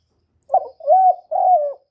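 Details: Spotted dove, a young male giving a loud call, recorded live without background noise: a brief rough first note then two long, even, mellow coos, the last drawn out and slightly falling, with nothing else audible.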